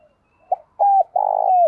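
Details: A short spotted dove phrase, cooed to draw in wild doves: a quick low note, a level whistled coo, then a long rough buzzing coo ending in a downward slide, clear and loud.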